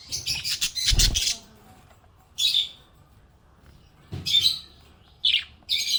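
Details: Happy budgie chirping: bright high chirps in bursts, a dense scratchy flurry in the first second with a low thump, then short separate chirps at about two-second gaps.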